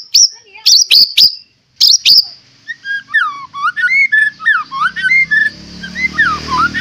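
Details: White-rumped shama, a caged fighter bird with a rich repertoire, opening with loud sharp clicks and then running into a fast varied stream of slurred, looping whistles over faint low hum.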